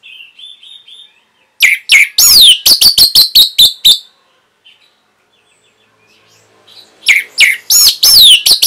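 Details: Song of the orange-headed thrush, a training recording for caged birds: a brief soft phrase, then rapid, loud, high whistled and chipping notes with steep downward slurs, a pause, and another energetic burst.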